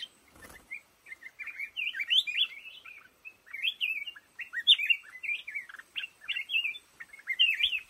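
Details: In a lồ ô bamboo thicket, a black-crested bulbul delivers cheerful, bubbly phrases of slurred whistles that rise and dip, short bursts separated by brief pauses, over a quiet background.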